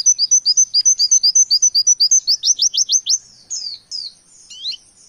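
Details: Rapid 'nembak' singing by an oriental white-eye, with variation material after wekwek, kowul and ciblek: roughly twenty-eight crisp repeated high notes over three seconds, then a few sparse, softer slurred calls.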